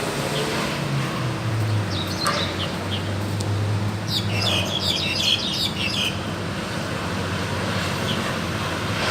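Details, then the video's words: Wild crested myna singing actively: scattered sharp chirps and whistled notes in a cluster, briefly dense mid-clip, over steady low traffic hum. "Burung jalak hongkong liar gacor"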